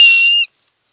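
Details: Osprey at the Chesapeake nest on 23 March 2018, calling around a large food delivery to the female: one loud, clear whistled note with a bright harmonic stack, lasting about half a second and then cutting off to silence.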